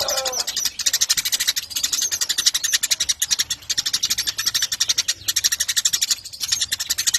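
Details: Lively Eurasian tree sparrow used as a model for training contest birds, giving dense bursts of fast, high chirping in runs of about a second, with brief gaps between runs.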